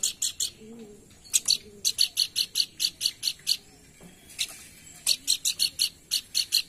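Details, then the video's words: Lure call of the pelanduk bukit, a babbler, played to get birds singing: long runs of quick, evenly spaced sharp chips, broken by a short gap and then resumed. "Pancingan bunyi burung pelanduk bukit cepat gacor"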